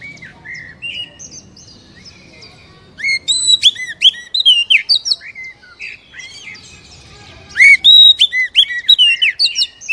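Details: Oriental magpie-robin singing, played to provoke a captive bird into song: soft scattered whistles at first, then two loud bursts of fast, varied, ringing whistled notes and chirps separated by quieter phrases.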